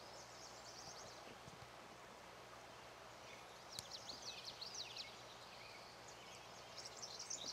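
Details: Lazuli Bunting in Montana's Charles M. Russell National Wildlife Refuge, USA, heard at moderate distance: two spells of thin, high, jumbled chirps and slurred couplets rise above a constant rural hiss.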